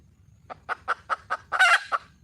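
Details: Wild red junglefowl hen calling for a male: a run of five evenly spaced short clucks, then a loud harsh broadband squawk and one final cluck.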